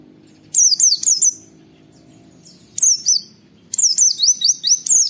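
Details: High, sharp, downslurred whistles from an oriental white-eye 'wit wit' lure recording, in three groups: three notes, then two, then a longer rapid run of about seven.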